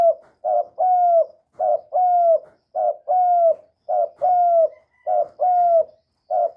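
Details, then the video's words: Young male spotted dove calling loudly, recorded directly without background noise: a short coo followed by a longer, drawn-out mellow coo, paired phrases repeated steadily about every second, with no other sounds. "Tiếng chim cu đất gáy lớn tiếng, cu gáy thúc, cu gáy gọi, cu trống tơ gáy to, cu cườm gáy,cu đất gáy"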